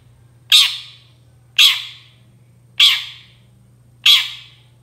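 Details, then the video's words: Long-tailed shrike used as a lure so other shrikes answer: four loud scratchy squawks spaced a little over a second apart, each fading quickly, above a constant low electrical hum. "CENDET GACOR SUARA AMPUH UNTUK PANCINGAN CENDET MANAPUN AUTO NYAUT BUNYI"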